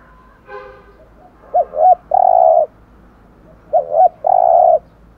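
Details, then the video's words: Spotted dove in the deep 'giọng thổ' voice, for stimulating decoy birds to coo. A short buzzy sound opens, then two phrases of twin quavering notes ending in a long smooth coo, about two seconds apart. "tiếng chim cu gáy kích bổi hiệu quả gù thổ"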